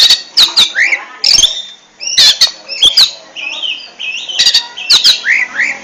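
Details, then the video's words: Oriental magpie-robin (kacer) singing in the ngentrok style: loud, high, varied phrases of sharp clicks, rising and falling whistles and squeaky notes, in bursts with short pauses between them. "RAJA NGENTROK!!! Kacer super kicau"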